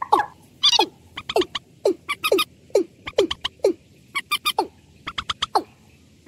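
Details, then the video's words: Watercock giving slow calls: hollow, downward-sliding notes about twice a second, steady and repeated, with sharp high clicks and ticks scattered between them. "Suara burung ayam ayaman"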